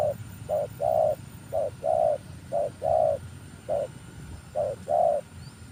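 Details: Spotted dove cooing, used to lure birds: crisp, loud, evenly paced pairs of a short coo and a longer, rounder coo, repeated five times with little background noise.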